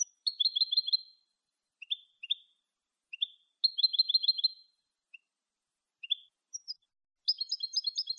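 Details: Malagueño-style clean song of a European goldfinch, used to teach goldfinches: fast tinkling trills alternate with short chirps, ending in a higher, denser twittering burst.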